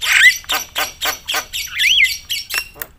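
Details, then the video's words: Javan myna in full loud song, used to stir other mynas into singing: a burst of rough grating notes, one bright rising-and-falling whistle midway, and harsh squawks repeated roughly every quarter second. "suara KERAS jalak kebo gacor full isian bikin semua burung jalak emosi gacor"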